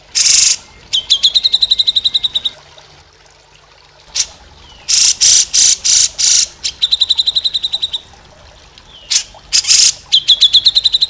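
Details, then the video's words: Grey-cheeked Bulbul giving harsh, raspy bursts mixed with quick runs of buzzy, chattering notes, repeated in loose phrases every second or two. "CUCAK JENGGOT"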